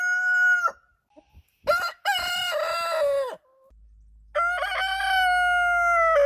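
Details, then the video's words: Roosters crowing in the morning on a farm: a clear tonal crow ends, then after a pause a rough crow with a long held, slightly falling note, and a third crow begins and holds steadily to the end. "Morning Hen Sound & Rooster Sound Effect - Cock Dance Suara Ayam Jago Berkokok"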